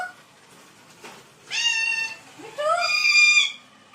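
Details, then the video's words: Pet parrot doing funny sounds like a dog: two drawn-out, nasal, whining cries with rich harmonics, the second rising then falling, separated by a short pause indoors. "Parrot Talking Mitthoo Mitthoo and Doing funny sounds like dog."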